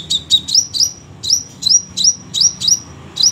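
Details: Crimson sunbird singing energetically in a tight, rapid 'tembakan' style: sharp, high, upswept chips repeated in quick bursts of two or three with short gaps, each note thin and ringing, over a faint low hum.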